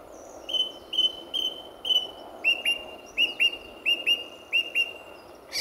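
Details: Male song thrush singing at RSPB Fowlmere in February 2014, early morning just before sunrise: a clear whistled note repeated many times in quick succession, then a second note with a short rising lead-in, also repeated over and over.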